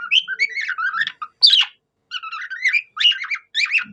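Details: Budgerigar singing like a cockatiel: bubbling warbled phrases with rising and falling whistles, a loud squeaky note, a brief pause, then more rapid chattering chirps.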